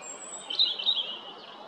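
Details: European robin, Jarun, Zagreb, Croatia, 13 April 2022; a short high warbling phrase of rapid thin notes rising and falling, preceded by a faint long high whistle.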